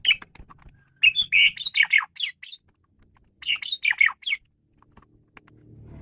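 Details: Male Asian pied starling singing a varied song, used as a lure for training birds: two bursts of loud, harsh, buzzy and whistled notes, each lasting about a second and a half, with a quiet low rumble in the background.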